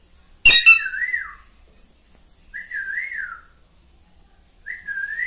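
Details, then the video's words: A pet talking Alexandrine parakeet gives a sharp harsh note, then three clear wavering whistles, each about a second long and two seconds apart. "Parrot talking"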